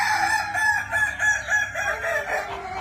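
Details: Kukuak Balenggek rooster, a Minangkabau singing chicken with a melodious, tiered crow starting from four syllables, crowing as a run of linked wavering syllables that rise and fall, partly blurred by steady background hiss.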